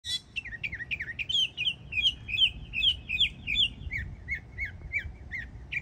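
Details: Young mockingbird in Florida singing vigorously: rapid series of varied chirps and slurred whistled notes, many repeated several times, mostly high and bright, with steady low background rumble.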